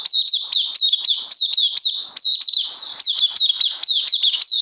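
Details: Captive oriental white-eye, day two of a health-booster course, pours out a continuous chain of high, bright chirps, each dipping and rising, several per second.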